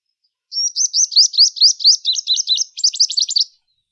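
A Purple Sunbird sings a fast, high, thin run of sharp zipping notes, about eight a second, ending in buzzier chips; nothing else is heard.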